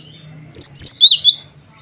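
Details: Male cinereous tit calling rivals and calling to females: a quick run of four clear, high whistled notes, the first three joined in a wavering slur and the last a short sharp upstroke, over a faint low hum.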